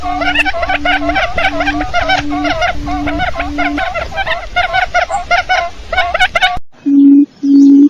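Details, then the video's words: Quail lure call: thick, continuous twittering and rapid notes with a faint low beep early on. The chatter cuts off abruptly near the end, leaving two clean low beeps. "Tiếng chim cút mồi , tiếng cút mồi cực kì nhạy bén"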